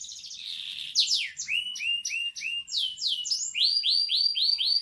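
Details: Singing canary, a local Indonesian bird, delivering a rich varied phrase: a brief trill, then rapid repeated downward-sweeping notes, ending in a steady run of bright chirps.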